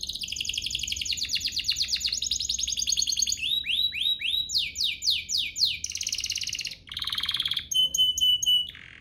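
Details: Canary lure song for provoking other canaries to sing: a long rapid trill, a run of rising swept whistles, a buzzy roll, and clipped high notes with a steady whistle near the end.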